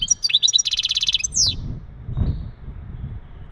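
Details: European goldfinch male singing mating calls to ready the female for breeding: a few bright twitters lead into a dry, buzzy rattle of rapid repeated notes, ending in a sharp down-slurred note, with low background rumble.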